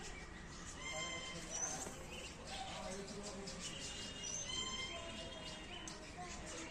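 An Eclectus parrot gives short, nasal, harmonic calls with a few thin high whistles mixed in, over a steady background murmur that may include speech.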